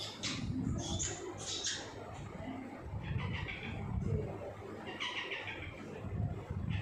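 A ringneck parakeet gives scratchy, speech-like phrases and squawky bursts in short runs, over a steady low rumble of room or traffic noise.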